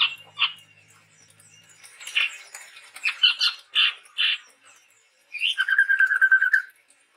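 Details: Chatty male chestnut-rumped babbler, a Sumatran forest bird: scattered rough notes and chirps, then a rising whistle flowing into a fast even trill.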